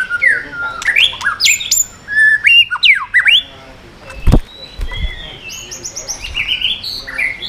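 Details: White-rumped shama in 'yến reo' song, switching voices to strongly stimulate other birds: loud varied whistles with rising and falling sweeps, sharp clicks, a low thump midway, and rapid high chirps near the end.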